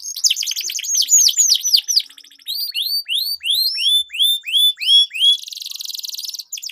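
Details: Canary song as a lure for competition birds: quick descending sweeps, then a spaced series of rising whistled upslurs roughly twice a second, ending in a sustained buzzy trill.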